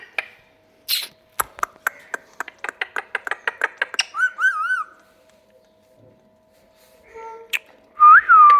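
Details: Talking parrot kept as a pet in a small room, after biting its owner: quick clicking taps, a wavering whistled phrase, then a loud rising-and-falling whistle near the end.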